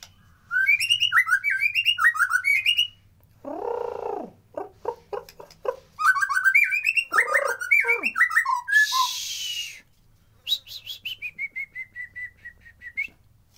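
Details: Unedited white-rumped shama song used to stimulate lazy birds: rapid whistled phrases alternating with rasping harsh bursts, a hissing note, and a final long trilled whistle series.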